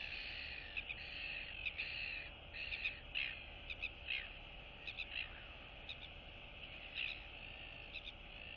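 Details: Royal albatross chicks in a colony greeting neighbouring chicks, recorded 9 September 2022: short sharp clicking bursts in quick clusters over a steady hiss, with soft nasal calls between them.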